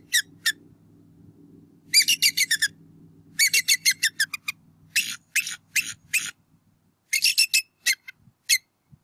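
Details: Bald eagle pair at a Berry College nest in northwest Georgia on 8 April 2018, calling while the male chases an intruder away and an eaglet stays flat on the nest. Bursts of sharp, high chittering notes in rapid runs, with a faint low hum early on.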